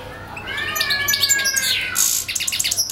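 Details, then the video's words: European goldfinch song: a short burst of fast liquid twitters and high tinkling notes with a brief buzzy trill, over a faint low hum. "European goldfinch singing/song"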